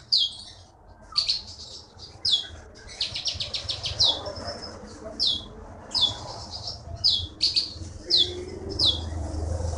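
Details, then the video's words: Bangka forest bird, now a contest winner, sings rapid sharp downslurred chirps and short trills over a steady low background noise. "KEETY BURUNG JAWARA FULL GACOR"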